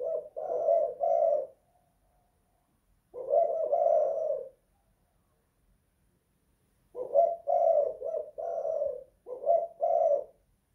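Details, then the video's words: Caged spotted dove indoors giving low cooing phrases, each a pair of short notes and a longer coo, separated by pauses of a few seconds. "Tekukur kuk 2 / guk 1 in the house"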